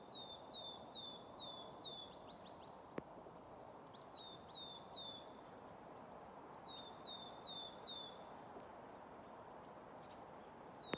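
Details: Willow tits active on 10 March 2024 at Haga, Sweden, singing phrases of five or six clear downslurred whistles, each about two seconds long, over a steady low background rumble; their contact calls were not recorded.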